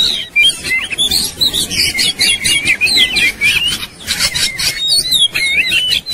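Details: Agitated white-rumped shama singing while fighting, tail opened: fast jumbled whistles and harsh chattering notes, many quick sliding phrases packed tightly together with sharp percussive clicks.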